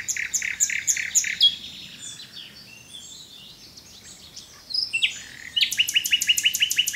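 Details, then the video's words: A nightingale sings loud repeated pulsed notes, pauses into softer varied twittering, then launches a fast rhythmic series of sharp repeated notes. "Zingende nachtegaal"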